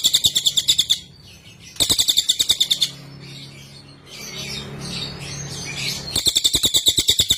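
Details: Cililin (Sunda whistling thrush) used as training song: short bursts of fast, buzzy, high pulsed chatter alternating with softer scattered chirps and twitters in the gaps.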